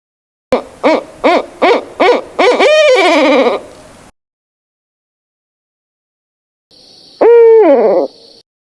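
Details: Barred owl hoots rapidly six times, runs into a falling, wavering wail, then after a few seconds of silence gives one more loud, sliding, descending hoot.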